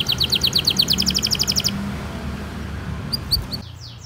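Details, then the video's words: Canary song used as a long lure song for tutoring young canaries and prompting silent ones to sing: a fast, high, evenly pulsed trill for under two seconds, then a pause and a few scattered high notes over low background hum. "PANCINGAN KENARI GACOR PANJANG utk Masteran Kenari PAUD & PANCINGAN Kenari MACET BUNYI"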